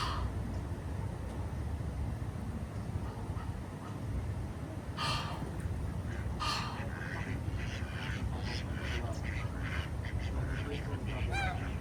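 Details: Ducks swimming on the water at Jardin aux Canards in Monaco on a morning: a few loud, rough quacks, then a looser run of short quacks in the second half, over a steady low rumble of water and background noise.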